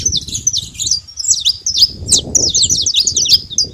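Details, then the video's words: Saffron finch free in the wild, bursts of rapid high chirping and twitter-like slurred notes in clusters, backed by a continuous low rumbling noise. "canário da terra livre na natureza com belo cantos"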